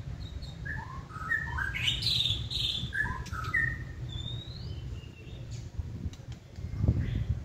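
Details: White-rumped shama kept caged: a cluster of short clear whistles and a rising whistled note, followed by near-silence and a soft low thump.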